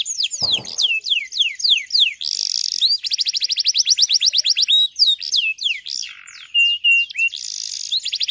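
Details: Singing male canary calling a rival, played to train young birds: falling whistles, a buzzy burst, fast repeated chips, mixed trills and a lower harsh note, varied phrases throughout.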